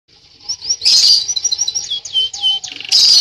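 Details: Canary singing lively in the nunduk style: a fast stream of high, sharp chirps and short whistled notes, some sweeping downward, with dense bursts of trilled notes near the start and the end.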